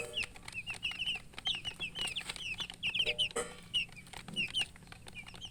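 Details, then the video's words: Newly hatched chickens peeping loudly, bright high chirps in clustered runs, with a thud and clicks in between. "Tot Murgi chicks chirping sounds Just Born Baby Gallina FRACAS Chicks Piar Loudly Sound"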